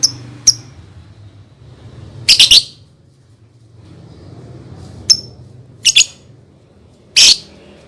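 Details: Lovebird song serving as a lure for young birds to learn singing: scattered sharp high ticks and several rasping, rapid double and triple chirp bursts at irregular intervals over a low hum.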